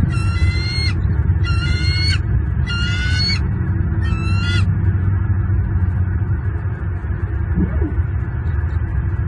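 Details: Bald eagles at a nest in Southwest Florida on 27 January 2023, adults feeding two well-fed eaglets. Four shrill, wavering, harmonic-rich calls, each under a second, come in quick succession over a constant low rumble of wind and background noise.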